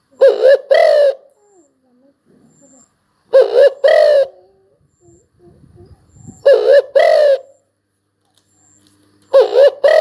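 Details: Repeated cooing of a spotted dove: low, husky phrases come about every three seconds. Each is a quick wavering double note followed by a longer coo, with soft background noises in the gaps.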